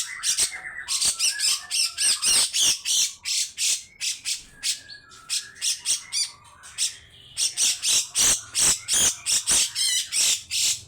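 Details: Grey-cheeked bulbul pouring out long, coarse rasping phrases that set other birds singing. Rapid harsh bursts come about three per second in near-continuous runs, with occasional clear whistled notes between them.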